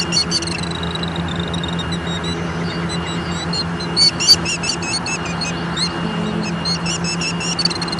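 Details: Killdeer getting mad at Leach Park, Bettendorf, Iowa, on 25 June 2014 at 8:43: rapid runs of shrill, high, piercing notes, some bursts nearly continuous, over a constant low drone of distant vehicles.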